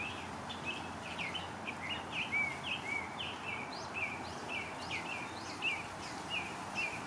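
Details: Western bluebird taking food from a hand, uttering clear, short downslurred chirps in a rapid run, at times two or three notes close together, with faint ambient noise behind.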